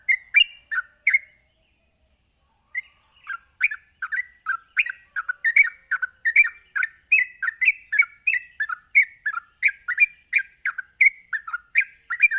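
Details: Sooty-headed bulbul giving a rapid 'ropelan' song used to provoke other bulbuls into answering: after a brief opening and a short pause, a fast, continuous run of bubbly whistled notes, rising and falling, several per second, over a steady faint high whine.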